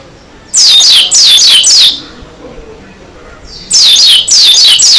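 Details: A dakun Oriental white-eye singing persistently, open-beaked, in loud bursts of rapid, high, thin descending chirps, two phrases about a second and a half long separated by a quiet pause.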